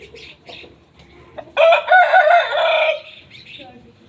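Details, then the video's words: Aseel rooster crowing: a loud, harsh, strained crow of about one and a half seconds, rich in buzzy harmonics, preceded and followed by fainter distant crowing and clucking. "Aseel Roosters Crowing"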